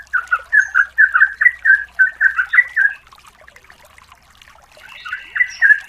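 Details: Female yellow-vented bulbul calling the male as a lure: three seconds of rich, rolling chortled phrases, a pause with low hum, then a higher buzzy overtone run of chatter at the end.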